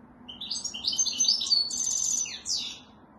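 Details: European goldfinch in song, delivering a lively, varied twittering phrase of quick high trills and slurred chirps that rise and fall, with a short pause before a final bright burst.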